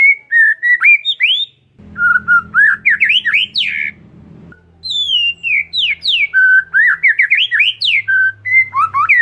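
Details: Oriental magpie-robin song for coaxing a mute bird: loud varied whistles and steep upward sweeps in quick succession, with a low droning hum underneath for parts of the clip.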